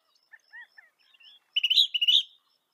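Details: Northern mockingbird of North America: a few faint thin whistles and chips, followed by a short loud trill of rapid buzzy notes.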